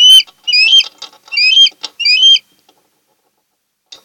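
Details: Osprey pair nesting on Kent Island, Maryland, August 2018: four loud whistled upslurred calls mixed with rustling and scratching clicks, followed by quiet.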